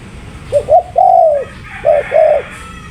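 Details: Soft repeated coos of a spotted dove: two short notes, a longer drawn-out coo, a pause, then two more short coos; faint background hiss.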